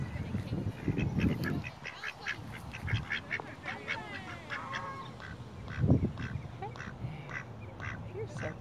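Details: Quacking ducks give scattered short nasal quacks across the clip, mixed with low thumps and rustling noise and some higher squeaky calls in the middle.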